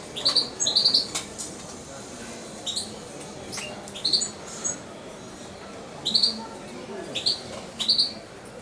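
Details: Young captive European goldfinch, nearly two months old and once syringe-fed by its owner, utters bursts of two or three high, sharp chirps, repeating every second or two with pauses, over faint indoor background.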